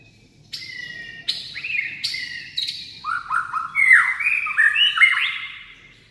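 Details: White-rumped shama singing in a rousing style with many varied voices: clear whistled notes, then a rapid run of rising, sliding phrases that grow louder and more varied toward the end.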